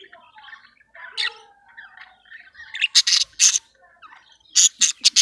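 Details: Budgerigar pair in breeding condition, caged, mating and regurgitating food; quiet, wavering whistled and creaky notes, then several loud, harsh, rasping squawks in short bursts.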